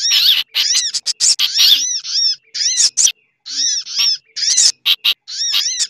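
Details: Sunbird (sogok ontong) lure call used to attract birds, a busy mix combined with other birds' calls such as chattering bulbul: dense bursts of high, sharp chirps and repeated arched, downslurred notes with brief gaps.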